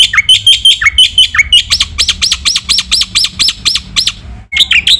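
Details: Training song of a Black-winged myna, singing hard with varied fillers: clipped chirps and falling slurs, then a steady series of looping ringing notes about twice a second, a short gap, and more chirps, with a quiet low hum.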